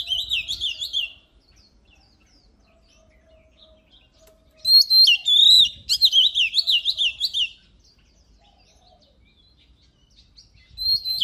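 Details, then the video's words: Oriental magpie-robin in full, vigorous song: a short run of rapid, wavering whistles, a long silent pause, then a longer rich burst of quick twisting whistled notes, with a new phrase starting at the very end. "Luyện giọng chòe than HÓT HAY || Kích chòe than hót căng lửa || Suara Burung Kacer Gacor 2023"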